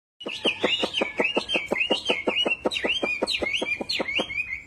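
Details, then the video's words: Wambi singing in lively full song: a fast, steady series of sharp chirps, about four a second, each sweeping down then rising into a high whistled note, continuing without pause for over four seconds. "Burung wambi gacor"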